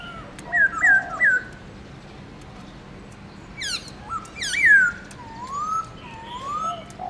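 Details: Black-throated laughingthrush in morning song ('forest voice', many notes): three dipping whistles, high sharp bursts with a falling whistle, then two long rising glides.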